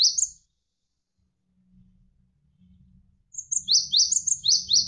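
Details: Javan sparrow in a songbird tutor recording with flowing water behind: a brief high chip, a pause with only a low water murmur, then a rapid run of sharp, downward-sweeping high chirps topped by thin ticking notes.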